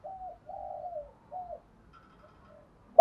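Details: Spotted dove used as a decoy, its call meant to urge other doves into calling and fighting. Three fairly quiet hollow coos, the middle one longest, followed by faint distant coos and a sharp knock at the end.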